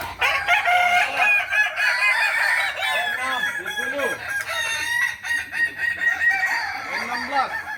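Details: Several Kukuak Balenggek roosters crow at once during a May 2024 practice contest in Ampang Kualo, Solok, with layered, undulating multi-note crows and shorter rising-falling calls weaving through them.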